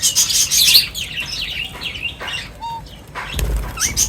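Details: A group of birds at their meal gives dense high chatter, then slurred chirping notes and a short clear whistle, with a low thump near the end.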